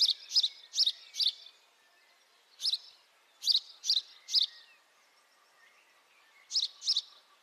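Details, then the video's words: House sparrow calling: sharp bright chirps given in quick pairs and short bursts, separated by pauses, with a faint steady background hum. "House sparrow call, beautiful house sparrow sound [High definition sparrow chirping]"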